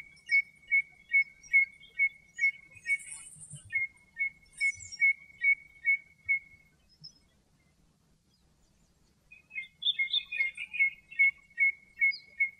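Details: In Greek nature, a common redshank sings a rapid series of evenly spaced whistled notes, falls silent for a few seconds, then resumes after a burst of rougher, higher chirps.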